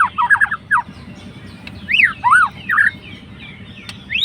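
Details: Murai batu fighter bird trying to anger a rival: quick choppy notes followed by several separate arched whistles rising and falling, then quieter faint notes over low hum.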